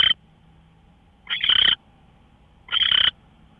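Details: Owl heard at 5:27 a.m. on March 24, 2013: rasping, hissy screech bursts, one cut off at the start and two full ones about 1.4 seconds apart, with a quiet steady hum underneath.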